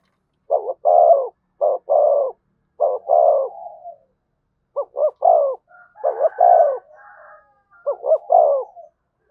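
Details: Spotted dove (Spilopelia chinensis) coo, a recording used to rouse and stimulate birds: low, hollow coos in short clustered phrases, with brief pauses between groups.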